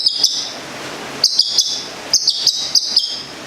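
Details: A kept local long-tailed shrike (cendet or plentet) from Gedong Songo, Central Java, producing clusters of sharp, high, ringing notes in short groups of two to five, separated by pauses of up to a second.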